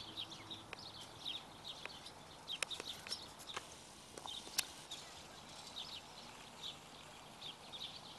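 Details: Fed barn swallow nestlings give a busy stream of faint, high, squeaky chirps, several overlapping at once. A few clicks and knocks sound over a constant outdoor hiss.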